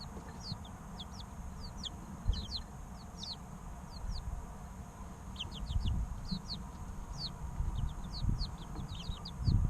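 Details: Group of three-week-old chicks chirping, sharp downward-slurred peeps coming in loose runs, recorded for an incubator, with constant low background hum.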